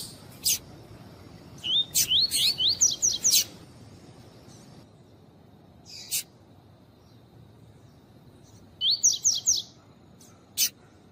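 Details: Male lined seedeater singing tuí-tuí while a female calls, meant to warm up males: two bursts of rapid rising whistled slurs several seconds apart, separated by sharp isolated clicks.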